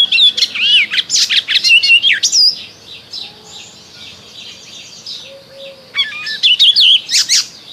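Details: Spring song of an icterine warbler: fast, loud phrases of mixed sharp chirps, rising and falling whistles and buzzy notes, then a quieter pause with faint distant birds before another rapid jumbled phrase.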